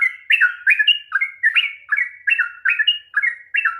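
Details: Sooty-headed bulbul giving a 'ropel panjang' song to provoke a reluctant bird: loud, evenly spaced, slurred whistled phrases, each dropping in pitch, about three per second, with nothing else audible.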